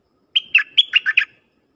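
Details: Decoy dok taeng bird calling wild birds: a single lively phrase of six whistled notes, each dropping sharply from a high start, lasting about one second in a quiet setting.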